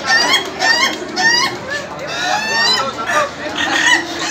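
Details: Contest final for laughing chickens in Indonesia, roosters giving long chattering crows of quick, stuttering, laugh-like notes that rise and fall, several birds calling over one another, people faintly audible.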